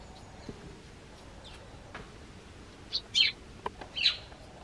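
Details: A garden tree sparrow that hops onto a bench by the house entrance to call to the owner gives a few short, bright chirps in a quick cluster near the end, over a steady low outdoor hiss.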